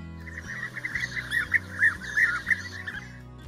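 European Bee-eater giving liquid, rolling 'prruip' calls, about three per second, mid-pitched and bubbly, over soft background music.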